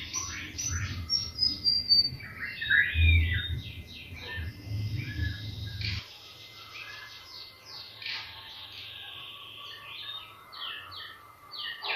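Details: White-rumped shama song for stirring other birds to sing: rapid cascades of sharp whistled notes and slurs throughout, with low rumbling noise during the first six seconds.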